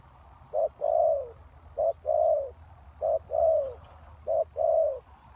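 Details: Spotted dove kept to lure wild doves, four evenly spaced pairs of low coos, a quick note followed by a longer falling one, over a faint low hum.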